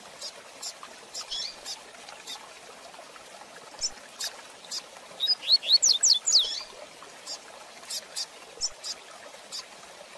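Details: Rusty-collared seedeater giving a rapid Tui Tui Zel Zel de Fibra phrase for teaching young birds: about a second of quick, bright rising whistled notes in the middle, framed by regular faint ticking clicks throughout.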